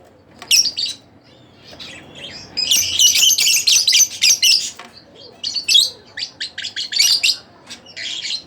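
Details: Split blue Fischer's lovebird sings in irregular bursts of shrill, rasping chirps, a dense buzzy stretch in the middle followed by quick staccato notes.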